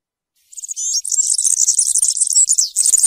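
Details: European serin singing in the campero (wild field) style: a dense, rapid, high-pitched jingling twitter of buzzy and tinkling notes that runs on without pause after a short silent start.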